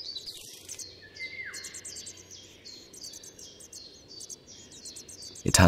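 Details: A European robin sings in damp, shaded Central European forest, a fast run of high, thin notes and a sliding whistle in quick, varied phrases, with low background hum and a sharp burst of noise at the end.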